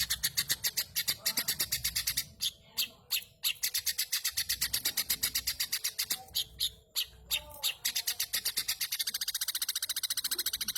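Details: Long-tailed shrike singing vigorously, its song packed with imitations of house sparrow; loud, harsh chirps repeated rapidly at about four per second with short breaks, ending in a faster, softer chattering run.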